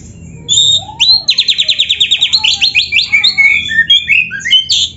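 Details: Oriental magpie-robin in full, varied song used as a master recording to prompt other birds: loud, high whistled notes, then a fast pulsing rattle-trill of about twenty-five notes followed by varied sliding whistles.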